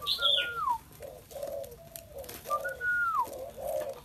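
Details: Spotted dove delivering low, breathy coos in a rhythmic sequence, accompanied by a clear, whistled, downslurred note from another bird heard twice and a high chirp at the start.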